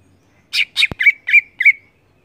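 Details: Greater green leafbird (cucak ijo) in full ngeplong-style song: five loud, rich, slurred notes around the upper-middle range, delivered in quick succession over about a second, with one sharp click mid-phrase and an otherwise silent background.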